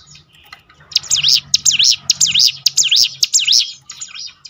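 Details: Prinia (ciblek gunung) singing to encourage other birds to sing: after a soft start, a burst of high notes that swoop down and up, repeated briskly, then trailing off, with a low hum.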